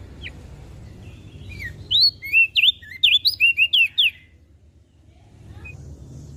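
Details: Mountain leaf warbler in lively song for tutoring caged birds: a quick burst of clear, slurred whistles, some rising and some dropping, packed into about two seconds, with faint low hum behind.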